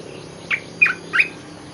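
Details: Three separated, emphatic chirps from an olive-winged bulbul lure song, each a quick downward-bending whistle spaced roughly a third of a second apart, over a low steady hum.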